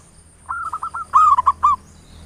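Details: A lure song from a local zebra dove in the ngayer nulop style, meant to stir other birds to sing. A soft run of rolling notes leads into a louder burst of four sharp, clipped coos.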